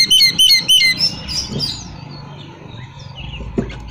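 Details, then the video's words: Magpie-robin (kacer) song used to draw answers from other magpie-robins: a quick series of bright, repeated whistled notes in the first second, fading into faint chirps and quiet background. "kapan pun kacer lain pasti bunyi dengar siulan kacer ini buktikan langsung nyaut gacor"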